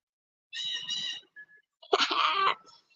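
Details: Blue Jay arriving at a garden feeder where nuts are put out; two harsh, nasal, buzzy calls, the first split in two short pulses, the second longer and rougher, with a faint chime-like tone between them.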